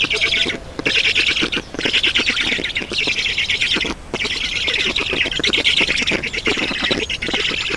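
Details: Estonian black storks at their nest, 7 June 2019, late morning, while water is brought in. Long bursts of harsh, buzzy squawking, each lasting a second or more, separated by short pauses near 1, 1.7, 3 and 4 seconds.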